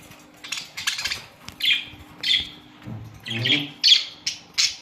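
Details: Colony of Australian budgerigars kept as pets: a run of short, harsh chirps and squawks spaced about half a second apart, some muffled thumps midway, and a faint steady hum in the background.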